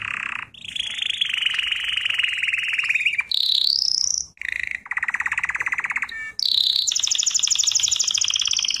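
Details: Canary singing in a song lesson: long sustained rolling trills at varied pitches, a rising whistled glide, a lower pulsing trill, then a high bright trill, with brief gaps between phrases.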